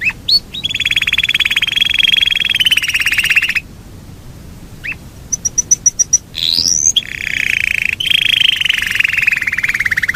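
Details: Long rolling song from a Yorkshire canary: sustained rapid trills held for seconds at a time, broken by a few sharp upslurred notes and a short run of high clicks, then another extended, gradually falling roll.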